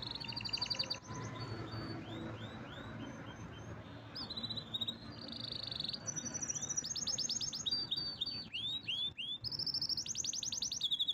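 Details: Pet canary singing: strong, repeated rising and falling whistled notes in rolling trills, some phrases held level, all over constant broadband background noise.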